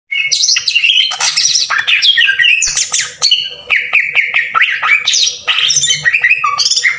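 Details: Green leafbird lure song with harsh 'tembakan kasar' bursts, meant to rouse other leafbirds into singing: loud, fast chains of whistles and scratchy, sweeping notes that jump between high and middle pitch, with barely a pause, over a faint steady hum.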